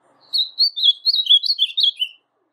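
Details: Song of a brown-plumaged blue-black grosbeak (azulão pardo), a kept bird, played to stir a quiet azulão into singing: a short phrase of clear, warbled whistles stepping up and down, then silence.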